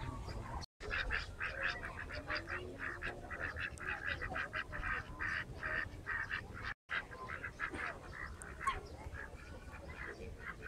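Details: Ducks resting in Fuentes Brotantes park, Mexico City: a rapid run of harsh, nasal quacks, several per second, broken by two short gaps, over a low background rumble.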